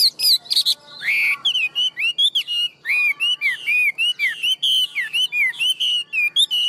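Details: Tame caged Chinese hwamei, a big-bodied bird said to sing loudly and well and to fight well, delivering a loud run of clear whistled notes, many short rising and falling slurs repeated in quick succession with some buzzy high phrases at the start.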